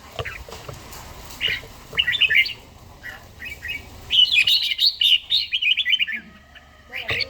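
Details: Morning singing from a trained red-whiskered bulbul, Gia Lai: scattered short chirps, then a loud, fast run of bubbling whistled notes, followed by a few final slurred calls.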